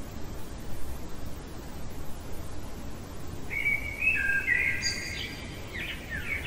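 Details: Common blackbird singing in the middle of the night, a rich warbled phrase of several fluty notes ending in a high scratchy twitter, after a few seconds of quiet hiss.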